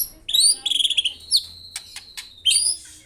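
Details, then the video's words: White-rumped shama singing busily: clear high whistles and quick stuttering notes, some sharp clicks, then another bright whistled phrase. "BURUNG MURAI GACOR"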